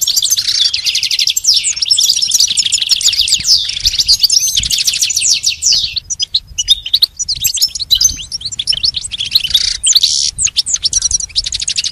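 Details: Sustained rapid song of a pet goldfinch in training, a long run of rattling, buzzy trills and twitters with hardly a break, followed by sharper scattered chirps.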